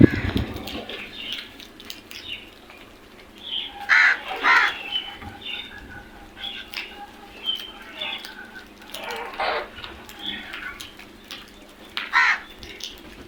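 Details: A group of crows giving harsh, broadband caws in short bursts at uneven intervals, loudest around the middle and end, with softer chattering calls and rustling between them.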